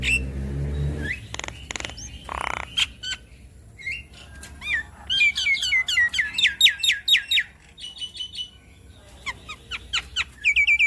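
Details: Varied Javan myna song used to stimulate a stressed bird: rough scratchy notes first, then a lively string of sharp whistled and chirping phrases, some repeated about twice a second, ending in high squeaks.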